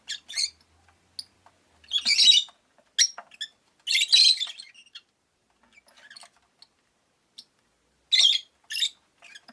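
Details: Five caged rosy-faced lovebirds indoors by a window, with town noise outside: scattered harsh squawks and scratchy high chirps in irregular bursts, some loud, others faint and short.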